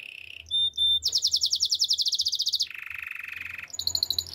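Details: Singing canary used for training: a brief high whistle, then a fast even trill of repeated notes, shifting to a lower buzzy rolling trill, then high pure tones.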